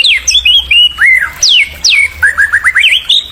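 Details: White-rumped shama song to stimulate young birds: rich varied whistles, sweeping downslurs and arching notes, ending in a quick series of short rising chirps.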